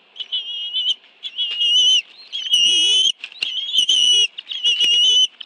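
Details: Bald eagle family at the National Arboretum nest, Washington, D.C., afternoon of 11 June 2017, two adults arriving with fish for two young; shrill whistled phrases repeat roughly once a second, separated by short pauses, with soft rustling beneath.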